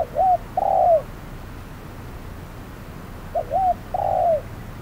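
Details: Spotted dove decoy calling during a trapping session in hot noon weather, a clever wild dove nearby. Two phrases, each a curling short coo and a long hoot sliding down at the end, spaced about three seconds apart.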